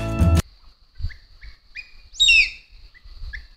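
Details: In Sri Lanka, a near-threatened rufous-bellied eagle gives a single loud, high, downslurred whistled scream with a few thin rising chirps before and after; a burst of music opens the clip.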